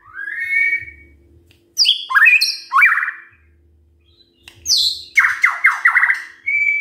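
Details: White-rumped shama song played in the morning to provoke other shamas into singing: a rising whistle, then loud varied phrases mixing sharp high notes, slurred whistles and a quick rattling series of descending notes, separated by short pauses.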